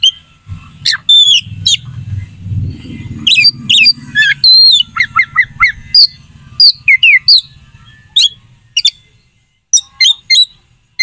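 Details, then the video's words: Provocation song of an oriental magpie-robin, used to make rival contest birds eager to fight: scattered high chirps and downslurred whistles, with a low murmuring rumble under the first half. "PANCINGAN KACER AUTO CEPAT RESPON/KACER JADI EMOSI SIAP TARUNG"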